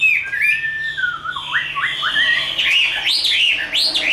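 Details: Tame Chinese hwamei described as a strong fighting singer. It gives loud, rich whistled phrases with quick rising-and-falling looped notes, repeated in short bursts and climbing higher toward the end.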